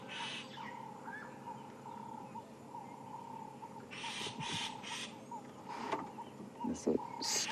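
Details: Starling at dawn in an African safari reserve gives harsh, rasping alarm bursts in quick clusters, warning of a male leopard (Tingana) with hyenas nearby, over a steady insect-like hum and faint voices.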